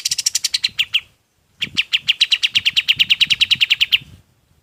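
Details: Golden-bellied gerygone song, used as a master recording for training other birds: a fast series of bright, high chirped notes, about three per second, a short pause, then a longer even run of the same notes.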